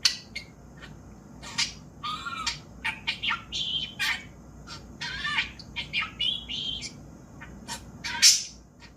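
A budgerigar chatters in quick, scratchy bursts, mimicking speech with high squawks and warbles.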